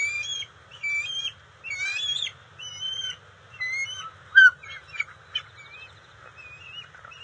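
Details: Bald eagle at the NCTC nest on June 27, 2021, as the resident female delivers fish to the eaglets: a run of high, thin whistled chirps with bright overtones, in short bursts broken by brief pauses, over a low steady hum.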